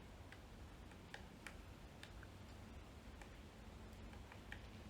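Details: A somewhat distant pileated woodpecker forages on a tree branch on a hike, picking and knocking to break off pieces: sharp, dry, irregular knocks about a second apart over a low outdoor rumble.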